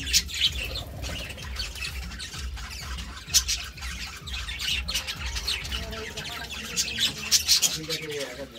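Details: Budgerigar pair chattering: a continuous stream of high, raspy warbles and clicking chirps with several louder squawks, set against a low humming background.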